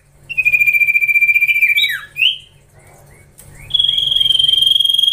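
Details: Young Common Iora (cipoh) in training, singing a long pulsing whistled trill that slowly rises, then a few falling slurs, a pause, and another steady high rapid trill.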